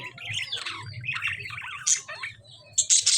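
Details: Lovebirds squabbling with budgerigars: quick buzzy chatter and warbling notes, broken by short piercing shrieks around the two-second mark and again at the very end.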